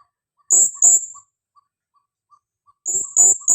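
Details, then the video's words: Female blue-crowned hanging parrot, used to lure other birds, giving lively shrill calls: a pair of high, strained squeaks, a pause with faint clock-like ticks, then another rapid burst of piercing notes. "Suara serindit pikat betina gacor"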